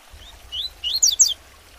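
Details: Captive Double-collared seedeater tutor singing tuitui style for young birds: soft rising whistles followed by three louder sharp high zigzag notes.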